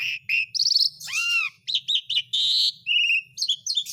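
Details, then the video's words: Asian pied starling song used as a lure to get lazy birds singing again: a rapid jumble of high whistled notes, harsh buzzy bursts and an arched downslurred whistle, with short pauses between phrases. "BURUNG MALAS BUNYI JADI GACOR LAGI (JALAK SUREN)"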